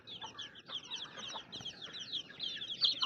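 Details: Baby chicks keep up a steady chorus of thin, high chirps, rapid and overlapping, growing slightly louder toward the close.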